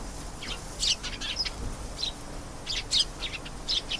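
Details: Canary song made of clustered high chirps and quick trilled bursts, separated by brief gaps, loudest near the middle and end, with soft background noise.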